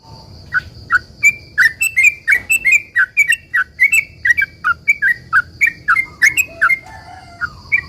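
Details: Sooty-headed bulbul singing a long rapid 'ropel panjang' song used as a lure to make other bulbuls reply: a steady stream of short bubbly two-part notes, falling then rising, about three per second, over a constant thin high tone.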